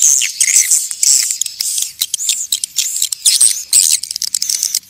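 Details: Natural calling sound of swiftlets, meant to attract more of them: very high, thin chattering chirps and squeaks in a busy stream that fades and returns in uneven bursts.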